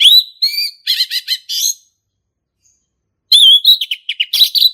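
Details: Loud song of a male orange-headed thrush, 'ngeplong' style for teaching young birds: whistled notes and quick buzzy chatter, a pause, then another phrase of varied warbles.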